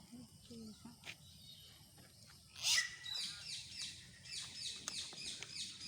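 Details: A rose-ringed parakeet, whose owner is surprised by what it says, opens with a few faint, low, speech-like sounds, then gives a run of harsh, screechy bursts with sharp chirps, repeated quickly over a hissy background.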